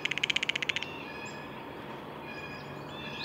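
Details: One quick, harsh blue jay call made of about ten rapid pulses, followed by quiet with faint distant bird notes.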